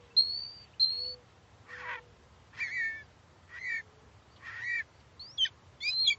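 A Phainopepla gives a halting mix of thin high whistles, harsh buzzy notes and sharp slurred chips, roughly one every second.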